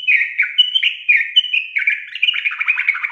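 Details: Continuous yellow-vented bulbul song meant to prompt lazy birds: mellow whistles slurring downward, then a denser bubbling, chattering burst toward the end, steady and clear.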